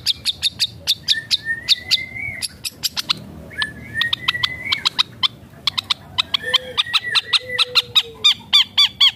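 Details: Long-tailed shrike pouring out imitations of other birds: clusters of sharp chips, drawn-out rising whistles, and lower slurred notes toward the end.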